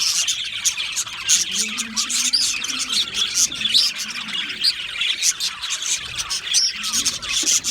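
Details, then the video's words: Several budgerigars twittering, bright high chirps and whistled notes layered over steady scratchy chatter throughout. "Budgie Parrots Chirping sounds"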